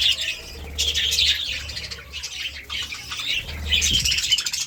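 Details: Budgies enjoying seeds and vegetables give twittering, scratchy warbles in rolling bursts that fade slightly midway and then return louder, over a soft low hum.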